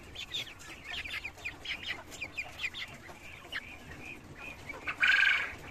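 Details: Cochin chickens living on a farm in cages: busy, overlapping clucking from many birds, closed by one loud, drawn-out squawk.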